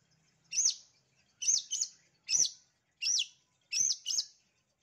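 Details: Long-tailed shrike master song used to prompt reluctant shrikes to sing: high, sharp arched chirps repeated about once a second, some notes doubled in quick pairs, against a quiet background.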